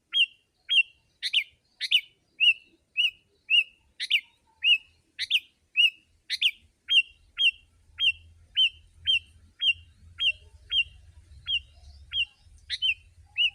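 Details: Sooty-headed bulbul in long, dense lure song for wild birds: a rapid chain of hooked whistles near two per second, punctuated by scratchy chatters, with a low rumbling background growing in the second half.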